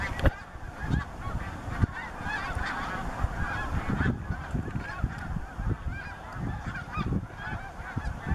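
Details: Large gathering of snow geese at Bombay Hook National Wildlife Refuge on 12 March 2017, a busy wall of nasal honks and yelps with some sharper close calls standing out, over a heavy low rumble.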